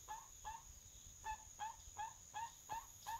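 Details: Crested guan, a forest bird heard from a farm home in the Panamanian forest, uttering evenly spaced, short, slightly upslurred yelps, about eight in three seconds, over a constant shrill insect drone.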